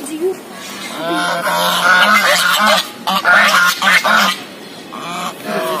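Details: Goose at a zoo, filmed as it walks, giving harsh, nasal, coughing honks in two clusters of short bursts, with a low voice-like hum running beneath.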